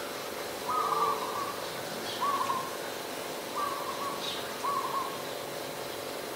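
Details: Adult zebra dove in Ubon Ratchathani, Thailand, on 28 December 2020: four soft, trilled cooing notes of even pitch, each about half a second, spaced roughly every 1.3 seconds over a steady background hum.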